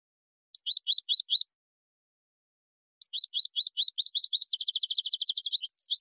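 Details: European goldfinch song used to tutor chicks. A short twittering phrase is followed, after a pause, by a longer one that breaks into a rapid, rattling trill of evenly repeated notes.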